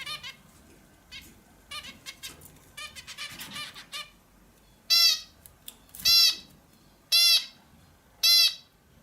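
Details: Indian bulbul: quiet twittering notes first, then four loud, harsh, overtone-rich squawks repeated about once a second in a fairly even rhythm.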